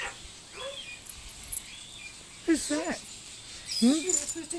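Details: Talking corella at Silverton, New South Wales, recorded 25/6/10: after a quiet start, two bursts of harsh, speech-like harmonic syllables with falling and rising inflections, the second louder, over faint outdoor background noise.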